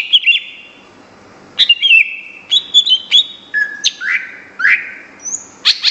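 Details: Greater green leafbird in persistent contest-grade song, delivering short varied phrases of sharp downslurred whistles and chips, with flat mid-pitched whistles and a thin high whistle near the end.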